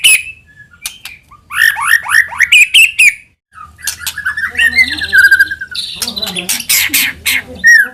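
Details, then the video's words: White-rumped shama song used to provoke other shamas to sing: rapid rising slurred notes, harsh squawks and chattering trills, a short silence midway, and some low background hum. "AUTO NYAUT MURAIBATU APAPUN AKAN TERPANCING UNTUK BUNYI GACOR JIKA MENDENGARKAN SUARA PANCINGAN INI"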